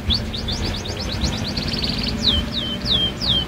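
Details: Young canary learning to sing: a fast series of short chirped notes around 3–5k, then four clear downward-sweeping whistles, over a steady low background hum.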